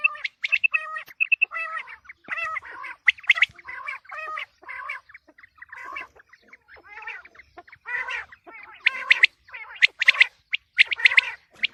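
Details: Quail calls recorded for the coming wheat season: rapid chattering series of short notes, some with clear banded harmonics, repeated in irregular bursts with brief pauses between groups.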